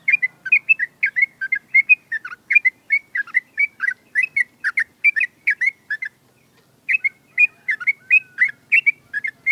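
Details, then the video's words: Morning dew and sun therapy for a caged sooty-headed bulbul: lively, rapid chattering song of bubbly, bouncing double notes, pausing briefly midway before carrying on just as busily. "TERAPI EMBUN JEMUR PAGI BIKIN BURUNG TRUCUK NGEWERRR"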